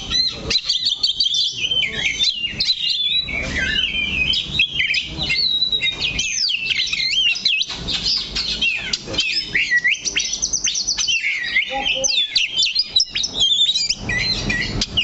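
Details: Kacer, the oriental magpie-robin, staying fixed on one perch while singing a long, rich medley of high whistled notes, trills and sharp slurred sweeps that runs nearly without break.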